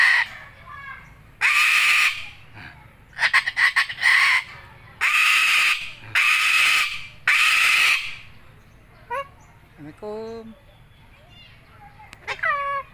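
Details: White cockatoo said to be good at talking gives loud, harsh screeches in repeated one-second bursts. Short whistled and warbling notes follow near the end.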